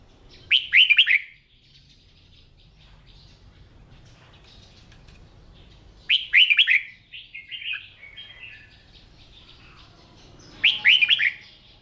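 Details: Red-whiskered bulbul in morning song practice, delivering loud, quick warbled phrases of three to five bright notes about every five seconds, with softer twittering between bursts over a low steady hum.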